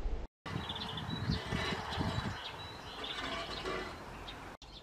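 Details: European greenfinch (Chloris chloris) gives quick twittering chirps and short trilled notes against a steady low rumbling background.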